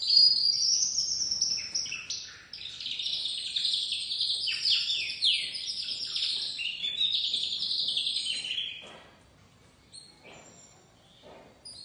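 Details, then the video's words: Juvenile white crested domestic canary singing a dense, bright warble of rapid trills and slurred whistles for about nine seconds, then falling almost silent with only faint soft notes. "Canário doméstico branco de topete começando a cantar"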